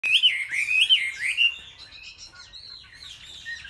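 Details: Chinese hwamei in competitive singing among selected market birds: loud, rich slurred whistles rising and falling, strongest in the first second and a half, then fading into softer, thinner warbled phrases.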